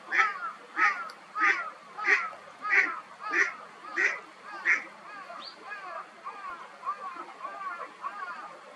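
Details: Eastern spot-billed duck swimming and calling, possibly a contact call: eight even, nasal quacks at a regular beat, then softer, mumbled chatter trailing off.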